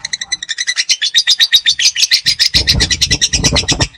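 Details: Lovebird of young age (PAUD) trilling its long ngekek: quick, pulsing high-pitched notes about four per second, with low rumble joining in the second half.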